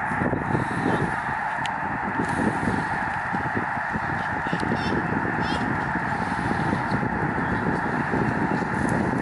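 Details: Huge flock of migrating snow geese on Lake Springfield in Springfield, Illinois, filmed from Lincoln Memorial Garden, the overlapping honks forming a loud, even, rushing clamour that holds steady for several seconds.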